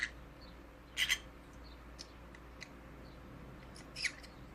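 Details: Conure parrot making cute noises: a harsh, broadband double squawk near the start, a few faint high chirps, and another short squawk near the end, over a quiet, steady low hum.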